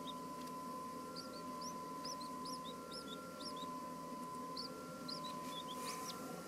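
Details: Two two-day-old captive king quail (Chinese blue-breasted quail) chicks, seemingly unsure about being filmed, give thin, high, rising-falling peeps, several overlapping every half second or so, over a steady electrical hum and hiss.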